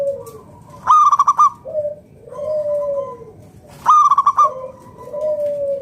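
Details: Zebra dove, a local wild-type bird, singing to lure other doves into calling: a rolling, stuttered coo followed by long mellow falling coos, the phrase repeating after about three seconds, quiet low background.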